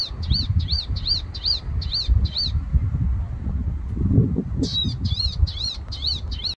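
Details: Palestine sunbird (Cinnyris osea) giving a fast series of high, thin beeping notes, about four per second, pausing briefly then resuming, over low rumbling wind.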